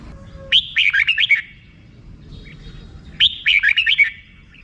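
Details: Rik-style singing by a red-whiskered bulbul: two crisp, lively phrases of rapid warbled notes, each about a second long and nearly three seconds apart, over low background noise.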